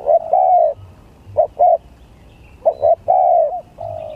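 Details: Spotted dove in a gagap tindan versus klantan song contest: phrases of two short stuttered coos then a long smooth falling coo, repeated with pauses of about a second between them.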